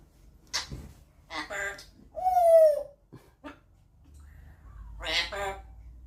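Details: Pet African grey parrot chattering indoors; it is known to mimic a dishwasher beep very loudly. Scattered speech-like mutterings and clicks surround one loud clear whistle that slides slightly downward for under a second.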